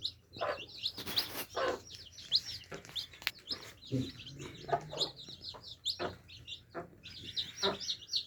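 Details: Baby chicks quenching thirst, continuous high peeping from a flock, interrupted by clattering taps and knocks at the drinker, with a low hum throughout.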